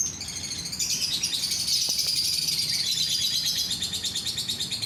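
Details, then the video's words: Lovebird song meant to stir other lovebirds into singing: a fast, busy stream of shrill twittering and buzzy pulses, steady and loud throughout. "bikin lovebird yang lain ikut bunyi"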